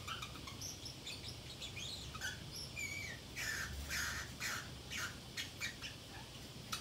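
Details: Lone Pacific parrotlet at home chattering to itself: high chirps and brief whistles mixed with harsher, squawky bursts repeated roughly twice a second in the second half.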